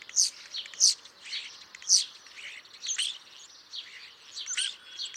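Starlings chirping: a busy chatter of high, squeaky notes, whistles and clicks from several birds, with no steady rhythm.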